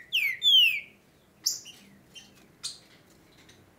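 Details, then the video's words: Green-winged saltator in Brazil in the breeding season: two loud, long down-slurred whistles, followed by a few short, sharp high notes with quiet gaps between them. "OS TRINCA-FERROS JÁ ESTÃO COMEÇANDO A CANTAR BEM AQUI NA REGIÃO!!!"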